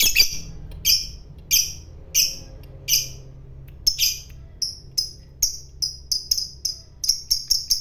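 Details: Lovebird of the fighter type, known for ngekek trilling, uttering short high chirps that begin slow and evenly spaced, then quicken into clustered bursts toward the end.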